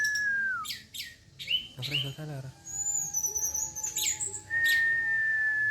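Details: Orange-headed thrush in tembakan style, loud with rough material: a falling whistle, quick sharp chips, a harsh burst, then long high thin whistles and a sustained clear whistled note at the end, with a faint low hum.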